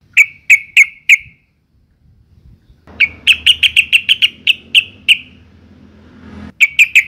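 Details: Female sooty-headed bulbul in breeding condition calling to males, used as a lure to make males sing: short bright chirps repeated in quick bursts of four, then a faster run of about ten, then three more, with faint low hum behind.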